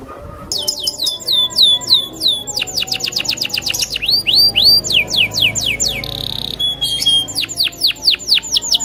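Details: Loper-type canary singing agitated while challenging a rival: fast runs of whistled notes sweeping downward, a rapid trill of upswept notes, a brief steady buzzy tone, then more repeated swept whistles, loud and close.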